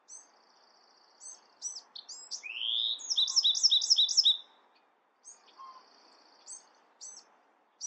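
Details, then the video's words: Bewick's wren with a varied song: thin high buzzy notes and chips, a rising slurred whistle, then a set of quick paired two-part notes repeated five times, followed by more high buzzy notes. "Beautiful Bewick's Wren Songs |Calling | Singing!"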